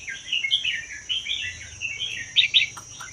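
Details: Red-whiskered bulbul, a wild-caught bird from the Vietnam–Laos region kept for one year, sings in a doubled style. Short warbled, chattering phrases run almost continuously. A high steady whine sounds throughout.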